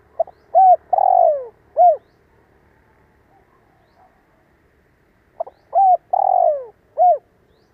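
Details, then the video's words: Spotted dove kept as a calling decoy to stir other doves and teach young birds to call. Two identical phrases of four hollow coos, the second long and falling, repeated after a quiet gap of about three seconds. "Tiếng chim cu gáy mồi cây giọng hay hạp bổi - Chim nghe là gáy. Mở lên chim non nghe nhanh gáy."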